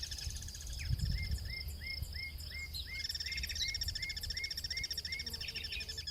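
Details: Guira cuckoos singing in the wild: a series of short, downward-slurred whistled notes repeated about three times a second, overlapped by a higher thin trilling voice, with wind rumble beneath.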